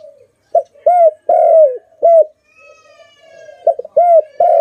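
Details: Pet dove gives loud, low cooing notes, mostly short single coos with one longer drawn-out coo, repeated in uneven bursts with brief pauses.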